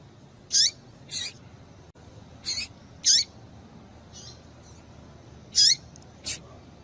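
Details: Calls of a female double-collared seedeater, meant to stir males to sing: brief high descending notes alternating with short sharp broadband ticks, irregularly spaced about one per second, faint softer notes between.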